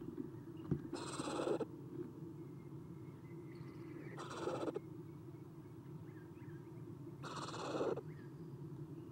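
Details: Eastern screech owl owlets, three of them, inside a nest box on the morning of 30 April 2016 as an adult leaves: harsh, raspy hissing bursts of about half a second, repeated every three seconds over a steady low hum.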